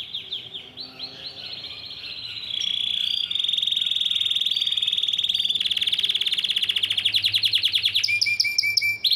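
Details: Yellow Belgian canary singing at length: rapid trilled rolls, a long buzzy sustained trill in the middle, then sharp repeated chopped notes, loud and continuous.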